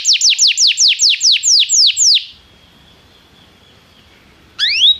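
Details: Belgian canary song used to train canaries: about ten loud falling whistled notes in quick succession, then a faint thin tone and a short pause before one rising whistle.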